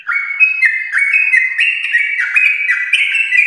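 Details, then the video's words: Champion-line yellow-vented bulbul kept at home, in long 'ropel' singing meant to stir other caged bulbuls: a continuous run of liquid, warbling whistles that jump between pitches in short stepped bursts, steady and loud throughout. "Trucukan gacor ropel panjang TRAH JUARA untuk pancingan trucuk rumahan"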